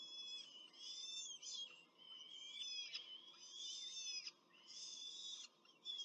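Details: A short feeding at a peregrine falcon nest in Rome, with adults and chicks, on 21 April 2024. Insistent, drawn-out, wavering high whines are repeated about once a second, with brief gaps between the bursts.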